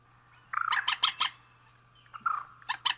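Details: Male and female rail giving two short bursts: a buzzy slurred note leading into three loud harsh notes, then a similar phrase after a pause, with a steady low hum.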